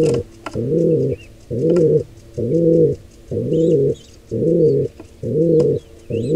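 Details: At a nest of wild pigeons where an intruder pair attacks the squab, seven loud, low, grating coos, each dome-shaped, come at a regular beat of about one per second over faint chirps and ticks.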